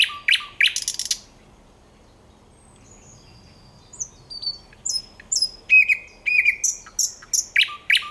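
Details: Thrush nightingale singing, 9 August 2022: loud dry clicks, then after a pause varied phrases of pure whistles and sharp chirps in quick succession against a quiet background.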